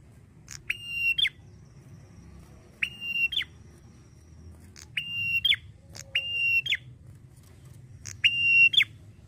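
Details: Male red-headed prinia sings short, bright, buzzy phrases, each with a steady high whistled note, repeated about every two seconds against a low background hum.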